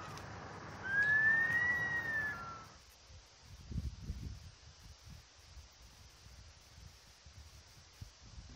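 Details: Bush stone-curlew in Australia, heard in the background in the morning while another stands in a front yard, gives a single drawn-out, eerie wail likened to a screaming baby, rising then dipping, over low rumbling noise.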